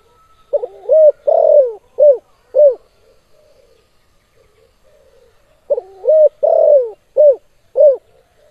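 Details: Spotted dove in active KUK 2 style cooing: two matching phrases about five seconds apart, each a faint lead-in and four or five deep, rounded coos falling at the end, with quiet murmuring between phrases.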